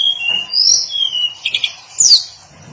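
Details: Hill blue flycatcher song: thin high whistled slurs and a brief stuttering trill, ending in a sharp bright descending note; quiet background.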